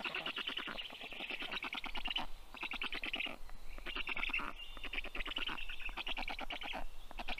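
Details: Feeding-time begging from 29-day-old rescued black stork chicks at a Tartu, Estonia veterinary clinic, 20 June 2022, 2:24 p.m.; repeated bursts of fast, hoarse pulsed calls over a low background hum.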